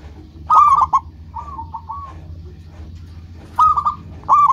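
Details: Local zebra dove song: a trilled rising coo, a softer wavering phrase, then two further loud clipped coo bursts, set against a low murmur.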